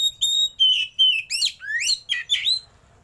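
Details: Oriental magpie-robin song in the 'roll tembak' style with lavish 'isian' fill-ins while the bird opens its tail. Clear drawn-out whistles lead into rapid rising and falling buzzy notes, then the song fades out.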